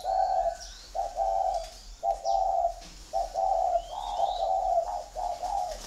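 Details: Spotted dove kept at a bird farm in Ba Vì district, Hanoi, Vietnam, cooing in the gù thổ style: steady, mellow, slightly wavering coos about a second long, separated by brief gaps, with faint higher bird chirps behind.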